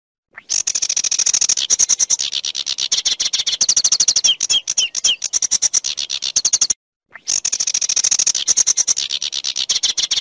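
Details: Sedge warbler (Acrocephalus schoenobaenus), song.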